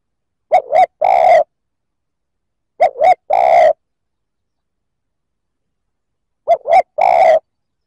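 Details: Provocative male-rousing coo of a spotted dove: three phrases, each a quick pair of soft hoots then one sustained coo, gaps of two to three seconds, nothing else audible.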